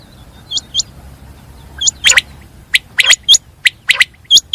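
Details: Common quail, called batir, giving sharp high notes in quick pairs, with other rougher bird calls mixed in over a quiet background.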